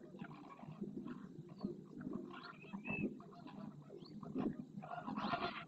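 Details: Display dance of several flamingos in the Doñana marsh, Huelva, Spain, with neck stretching, rapid head turns and wing flapping; overlapping hoarse, goose-like honks rise repeatedly out of a constant low gabbling murmur.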